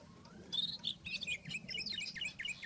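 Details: Rufous-tailed scrub robin singing in the wild: a rapid, varied run of high chirps, slurred notes and trills with brief gaps, over a steady low hum.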